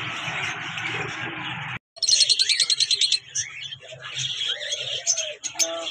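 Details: Early-morning bird chirping: after a short noisy start, a fast run of bright, high repeated chirps, then varied twittering notes, sliding whistles and scattered sharp calls from several birds.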